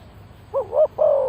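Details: Spotted dove decoy calling to bring in wild birds: a short wobbling note rising then dipping, followed at once by a steady, long hollow coo.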